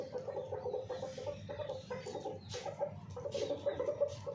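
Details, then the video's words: Hens kept by a household, cared for in summer, clucking in quick repeated mid-pitched notes, several birds overlapping, with scattered noisy bursts in the background. "Hen sound video"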